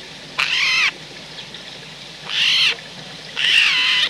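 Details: Wild Eurasian jay calling at a feeding point in rural central France, autumn, 17 December 2019; three loud, hoarse, rasping screeches, each about half a second long, spaced roughly one and a half seconds apart.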